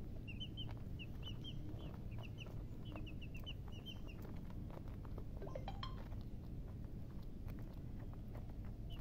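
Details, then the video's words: Baby chickens peeping in quick clusters of short, high chirps during the first half, then scattered single peeps, over constant low-pitched rumble and occasional clicks. "MURGI Baby "Chicks Chirping" Sound"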